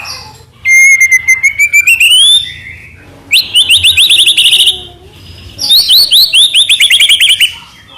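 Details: White-rumped shama singing in the trotol gacor style: a long whistle rising from low to high, then two bursts of fast, evenly repeated ringing notes with sharp upward sweeps, separated by short pauses.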